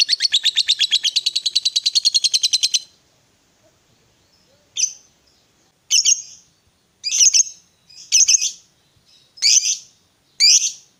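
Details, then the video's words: Fighter lovebird calling as a lure for a silent lovebird: a fast, buzzy chattering trill of nearly three seconds, silence, then six separate sharp, squeaky chirps about a second apart. "Pancingan Suara Lovebird Gacor Fighter"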